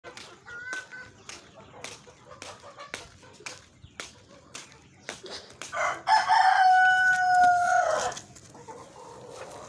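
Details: Native (deshi) chickens: a loud rooster crow, a long harsh sustained note, stands out over a background of sharp clicking and tapping sounds and faint earlier clucks.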